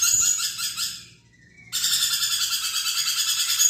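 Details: Lorikeet in lively chattering song for magpie-robin training. Dense, buzzy screeching pulses run fast, stop for a moment around a short mid-pitched note, then start again just as harsh and rhythmic.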